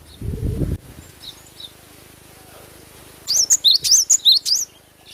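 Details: Natural song of a cinereous tit, known locally as glatik batu: a low rustle and faint chirps, then a quick burst of about eight high, sharp, whistled zigzag notes late in the recording.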